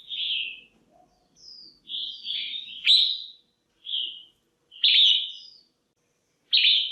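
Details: Harsh, scratchy calls from a female red-whiskered bulbul, meant to stir males or help pairing, come in short bursts roughly once a second, some sharp and explosive, some softer and falling.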